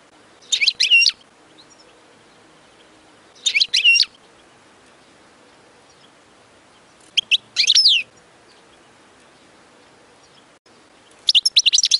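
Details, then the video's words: European goldfinch singing to tutor chicks: short twittering bursts of slurred high notes, each under a second, repeated about every three to four seconds over faint background noise. "تغريد أغلى حسون في العالم لتعليم الفراخ"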